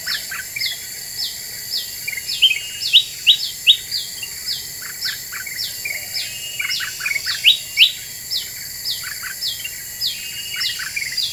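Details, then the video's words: Black-winged bulbul song used as a lure to provoke other birds: sharp bright chirps and short notes mixed with steady repeated downslurred whistles about every half second, with lower buzzy blips beneath. "Suara Pikat Kutilang Emas Super Gacor,,Bikin Burung Lain Pada Emosi"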